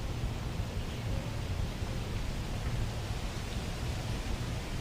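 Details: Continuous wind gusts and rustling leaves form a dense, even hiss with a low rumble, and no bird chirps or other animal calls come through.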